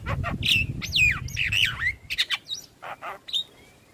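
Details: Javan myna singing, played as a lure to get stressed, silent mynas singing again. Squawky slurred whistles sweep up and down, then short chirps and a thin whistle, over low background rumble.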